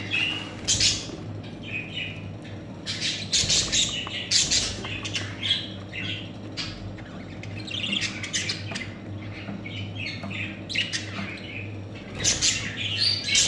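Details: Budgerigar chicks squawking loudly in harsh, raspy bursts, repeated in clusters with short pauses between them, over a faint low hum.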